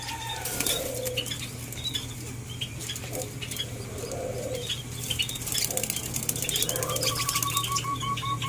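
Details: White-eared brown dove (alimukon) kept for taming gives low, soft coos spaced a few seconds apart, then a quick run of higher repeated notes near the end, with steady hum and sharp chirps from other birds behind.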